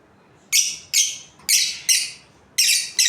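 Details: Budgerigars, a breeding pair, giving harsh, high, scratchy chirps, five short bursts in about three seconds, each dropping slightly in pitch, over a quiet background.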